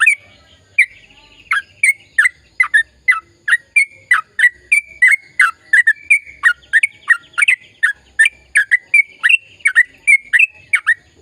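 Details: Long rolling song from a vigorously singing sooty-headed bulbul, meant to prompt silent birds into song: after a few opening notes, a rapid, even series of sharp chirps and short whistles, nearly three per second.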